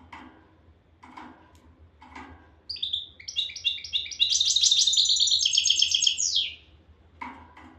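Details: European goldfinch song, Souk Ahras style: a dense, rapid run of high liquid twittering and trilled notes lasting about four seconds, framed by soft dull knocks roughly once a second before and after.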